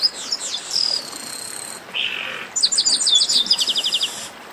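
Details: Chestnut-capped blackbird, called garibaldi, giving an esquenta warm-up song: opening whistled slurs and a long buzzy tone, a lower harsh rasp, then a fast evenly spaced series of about ten clipped notes.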